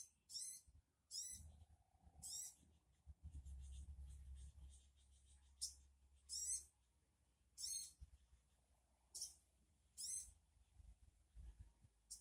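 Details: Sogon bird call meant to get another sogon to reply: about nine short, raspy screeches spaced irregularly about a second apart, with low rumbling noise between the calls.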